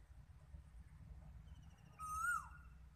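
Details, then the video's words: Koel calling: after two seconds of low rumbling background, one loud whistled note with rich overtones rises, then drops away sharply at the end. "কোকিলের ডাক"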